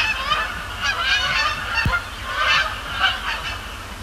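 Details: Canada geese honking on a Thursday night at Sapsucker Woods Pond, Cornell Lab of Ornithology; overlapping nasal calls swell and fade in waves, loud bursts around each second, with one low thud.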